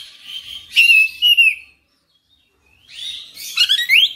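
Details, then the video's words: Oriental magpie-robin in active, full song: bright whistled phrases with buzzy overtones, then a second of silence, then rising whistles and quick sweeping notes. "KACER NGOTOT GACOR FULL BONGKAR MATERI"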